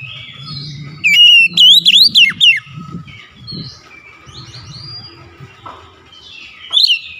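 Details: Oriental magpie-robin in lively song. A strong sequence of wavering, bouncing whistles with crisp high ticks is followed by softer scattered chirps over a low hum, and then one more brief rising whistle.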